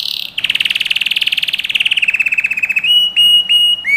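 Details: Canary singing in a training recording for young birds: a long, rapid buzzy trill gently falling in pitch, followed by pure, steady whistled notes with brief breaks between them.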